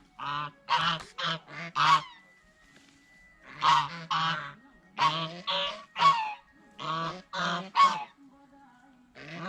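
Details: Honking from geese eating bread and fresh vegetables at a fish pond: rapid groups of three to five loud nasal honks, separated by brief quiet gaps.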